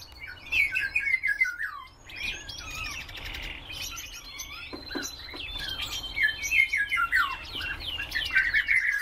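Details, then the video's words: Common redpoll giving rapid twittering calls: bright chirps and short descending trilled runs, plus a few sweeping whistled notes and a longer buzzy stretch, delivered in quick bursts over a quiet background. "Carduelis flammea - чечетка"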